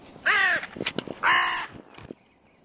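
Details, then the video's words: Crow disputing a territory border near a park music pavilion where three breeding pairs' territories meet; two loud, raspy, drawn-out caws about a second apart, with fainter short sounds between them. "Tempel der Krähen"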